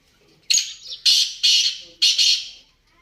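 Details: Black francolin calling: a series of four loud, harsh, grating notes about half a second apart, each starting abruptly and then fading, in a quiet setting.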